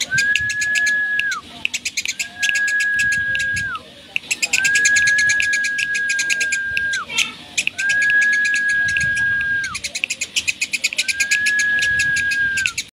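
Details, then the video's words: Eurasian tree sparrow singing actively in the chattering cetrekan style, fast metallic chirps repeated in runs of several seconds, overlaid by a sustained level whistled tone that falls away at the end of each phrase. "BURUNG GEREJA GACOR CETREKAN"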